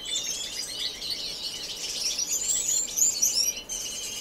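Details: Finches in an indoor, non-breeding community aviary in Edmonton, Canada, sing in March 2015: rapid, tangled high chirps and warbled notes, roughly four per second, forming a continuous bright chatter.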